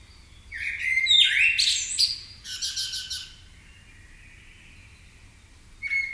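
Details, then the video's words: Morning chorus of birds waking up in Marousi, Athens, Greece: two bursts of varied chirps, whistles and buzzy rattles in quick succession, a thin sustained whistle fading out, then a brief sharp note at the end. "MAROUSI BIRDS AWAKENING"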